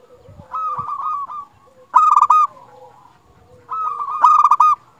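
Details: Zebra dove, a local bird singing often, for coaxing other doves to sing: soft rolling coos, then two strong bursts of staccato trilled notes, each trailing into purring coos.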